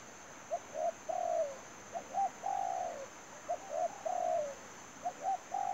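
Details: Spotted dove used as trapping bait, cooing steadily. Its phrases of two short hoots and a long, mellow, falling coo repeat about every one and a half seconds, over a persistent faint high whine.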